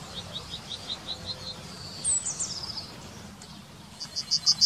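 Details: Yellowhammer in the town of Wittlich, Germany, in 2019 sings a quick run of about eight high, thin repeated notes, then a bright falling note, with a low hum behind.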